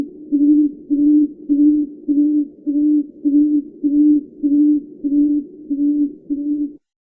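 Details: Deep, muffled humming notes from a tawny frogmouth, about eleven in a regular series at roughly 100 per minute, each brief and flat in pitch, ending in quiet.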